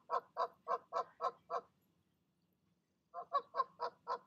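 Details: Goose parents urging goslings out of the nest in the evening; six brisk, nasal honks, a silent gap of over a second, then another run of five or six honks.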